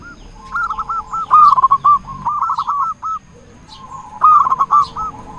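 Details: Local zebra dove in full, strong song, meant as a lure to stir other doves' mood and urge to sing: two loud bursts of clipped coos each trailing into a rolling series, separated by a quiet gap.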